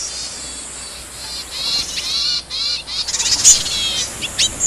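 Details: Yuhina in the wild searching for food for its young, giving a run of quick high chirps and short downslurred twitters, growing busier and louder toward the end, over constant high-pitched background hiss.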